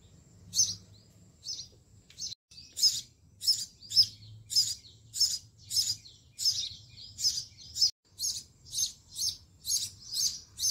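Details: Nestling sparrows begging as their mother feeds them in a home-garden nest box: sharp, high-pitched chirps that start scattered, then become a steady, rapid run of about fifteen calls, over a low background hum.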